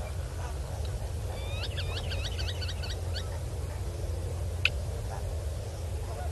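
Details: Northern black korhaan, male and female, at Kamfers Dam at 6 PM on 7 December 2021; a quick burst of about eight repeated hooked, grating notes lasting under two seconds, over a steady low rumble, followed later by a single sharp click.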